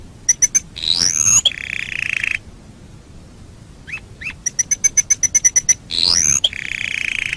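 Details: Canary master recording for teaching birds: bursts of crisp chips in quick series alternate with swooping whistles and short rolling trills, separated by brief silences and a few soft hooked notes.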